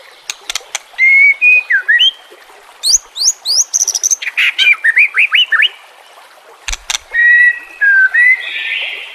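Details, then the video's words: White-rumped shama song used as training song for captive birds, with nature sounds and trickling water: varied loud whistled phrases, rising and falling slurs, rapid high chips and sharp clicks, with a buzzy burst near the end. "pancingan murai batu TERBARU FULL ISIAN KOMBINASI"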